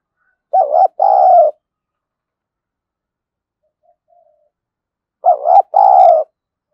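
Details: Spotted dove kept as a decoy to lure wild doves, 'giọng thổ' voice style: two deep, warbling coo phrases, each a short double note followed by a fuller sustained note, about five seconds apart in near silence.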